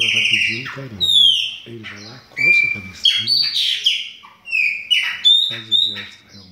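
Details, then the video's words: Chopi blackbirds in a breeding aviary pour out clear downslurred and level whistles in repeated bursts, alternating with a man speaking in Portuguese about the coming breeding season. "O BARULHO DOS PÁSSARO PRETOS"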